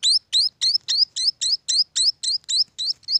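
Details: Munia chicks: about a dozen high, sharp, rising chirps in quick succession, each clearly separated, roughly three or four per second.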